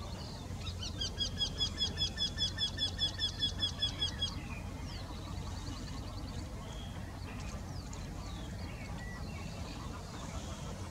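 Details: Eurasian wryneck song, one of two birds singing in the same tree: a brief, even run of nasal repeated notes about two and a half per second, then stopping, leaving a quiet background with low rumble and faint distant calls.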